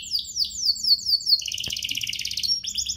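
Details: Canary song used as a bait recording to stir other canaries into singing: a run of quick high descending whistled slurs, then a fast buzzy rolling trill and a brief sharp note, with a faint low hum.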